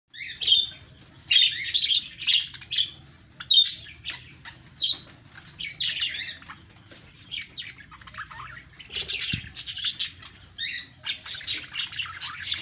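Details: Budgerigars chirp and warble in quick, scratchy bursts of high chatter, played to encourage quiet or lonely pet parakeets to sing.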